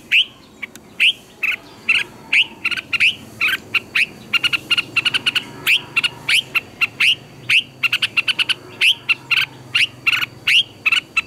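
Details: Red-whiskered bulbul singing forcefully as a lure voice for training captive birds; long steady stream of rising whistled notes and rapid twittering clusters, almost without pause.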